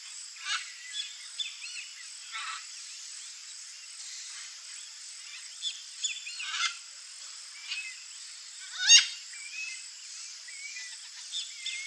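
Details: A free-living wild hybrid harlequin macaw gives harsh, raspy squawks at irregular intervals, loudest near the end, over steady hiss with faint chirps from other birds.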